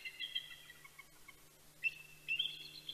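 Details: Bald eagle pair at Big Bear, California, greeting each other before sunrise on 26 October 2019: brief high squeaky chitters at the start, then a short burst of shrill piping notes near the end, over a constant low hum.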